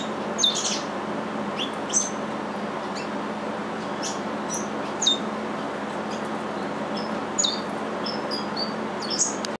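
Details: Two captive-bred curió seed finches, hatched at a breeder's, singing the same song as their father, a regional Curitiba-style song: scattered short, high whistled and chirped notes, spaced irregularly, over a steady background hiss.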